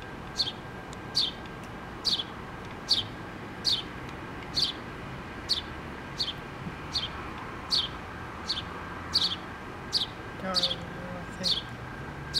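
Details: Mama house sparrow with her two babies nesting in a pole on 8-3-2017: a long steady series of about fifteen bright, descending chirps, evenly spaced, with low traffic-like rumble and a brief voice near the end.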